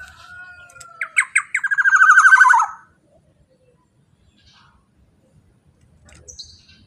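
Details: Loud black-naped oriole used to lure others of its kind: a thin high whistle, then sharp clipped notes speeding into a dense, grating, downward-sliding rasp near two seconds long, followed by quiet with faint later chirps.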